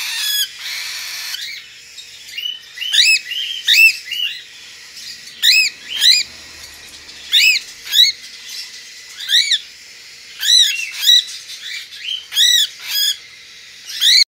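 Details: White-face pearl cockatiel chick, hand-tame, dated 31 May 2022: a long series of shrill, arching squawks in short bursts, some doubled, with brief pauses and faint softer chirps between them.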